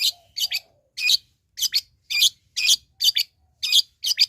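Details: Long-tailed shrike giving loud, harsh rasping notes, often paired as double bursts, repeated about twice per second in an uneven rhythm. A faint low whistle sounds near the start, with no other clear background noise.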